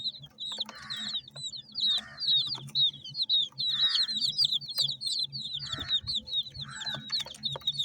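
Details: Baby chickens of mixed colours peep rapidly while feeding, bright rising-falling chirps crowding together, punctuated roughly every second by short scratchy pecking or scraping noises over a low mechanical hum.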